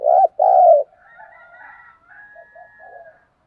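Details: Spotted dove decoy cooing: two strong low coos in quick succession, then fainter overlapping higher drawn-out notes and soft distant coos.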